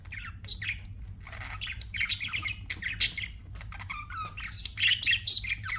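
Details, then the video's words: Budgerigars chirping and squawking in fast chatter, high whistled notes mixed with clicks and a brief descending warble, calls rising to a louder burst toward the end. "BUDGIES CHIRPING SOUND"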